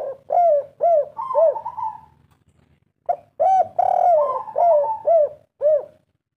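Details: Local 'kuk 3' spotted dove in full voice, a lure recording: a series of short, arched, hollow coos, about two per second, mixed with longer, level, slightly quavering notes, in two phrases separated by a pause.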